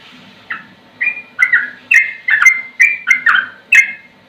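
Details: Sooty-headed bulbul (trucukan) singing slowly: distinct liquid whistled notes, many falling in pitch, given at uneven gaps of about half a second, some doubled.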